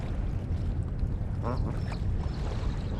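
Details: Mallard ducks being fed corn by the bay on a gray overcast day, 30 May 2022, recorded on a GoPro Hero8; one short nasal quack midway through, over steady low rumbling background noise with faint high chirps.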